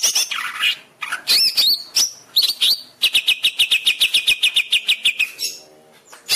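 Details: Greater green leafbird master song for tutoring caged birds: varied whistles and chips, then a steady fast run of about twenty repeated chirps.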